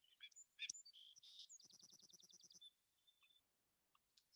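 A Song Sparrow song: a few sharp introductory notes, then a fast buzzy trill of repeated notes, ending in a thin high note.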